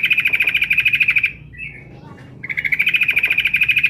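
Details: Female Sooty-headed bulbul calling to the male with two long, even, rapidly pulsed buzzy chatters at steady pitch, broken by about a second of quiet with a few soft short notes.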